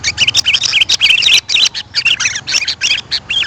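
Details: Calls of sooty-headed bulbul played to draw in wild birds: rapid, bubbly, slurred chirping phrases repeated about three times a second, bright and busy, with brief pauses between groups of notes.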